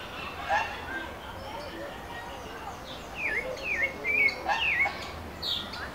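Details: Sabiá-do-barranco, the pale-breasted thrush, sings in Brasilia, Brazil: faint notes at first, then a string of clear, down-slurred whistled phrases spaced about half a second apart.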